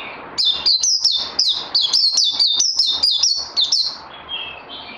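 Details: Caged white-eye in training, recorded 18 May 2020, giving a continuous string of loud, high whistled notes, each dipping then rising, about a dozen in four seconds, fading to quieter twitters.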